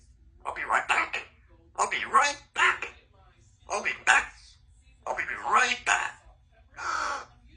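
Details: A 2-year-old female Congo African grey parrot talks at home in short, speech-like bursts, about five phrases with brief pauses between them, in a small quiet room; her favourite phrases include "give me a kiss".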